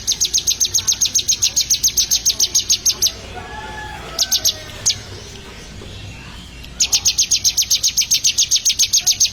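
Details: Bar-winged prinia being trained to sing, delivering fast, evenly repeated high, sharp chip notes, about four per second, in long runs separated by a pause with faint softer sounds.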